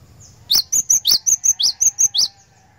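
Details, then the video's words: Java sparrow song used as a lure for caged birds: a steady string of about ten high, bright chirps, roughly five per second, alternating flat whistles and sharper peaked notes, with a faint steady tone behind. "PANCINGAN BURUNG GLATIK BATU, DIJAMIN GLATIK BATU ANDA LANGSUNG IKUT GACOR NGEROL"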